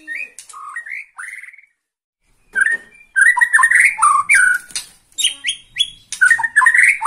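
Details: White-rumped shama of the Borneo type, roused by a rival, sings short whistled phrases, pauses, then pours out fast jumbled whistles, chips and buzzy notes.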